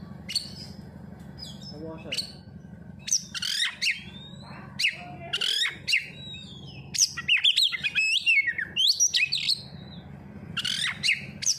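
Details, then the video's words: Oriental magpie-robin singing in bursts of sharp high chirps, quick whistled slurs and trills separated by short pauses, over a steady low hum with faint background voices. "Pancingan Kacer langsung auto gacorr"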